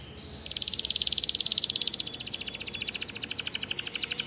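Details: Captive canary in a breeding room delivering a high, quick trill of evenly repeated notes, loudest early, then continuing slightly softer and faster to the end, over faint background hiss.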